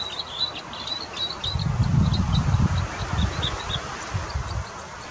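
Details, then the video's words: Wild red crossbill in nature giving quick bursts of short, high chirps and clipped whistles, densest in the first half, over a loud low rumble, probably wind, that swells midway. "أجمل تغريد للهزار صليبي المنقار في الطبيعة Bec-croisé des sapins"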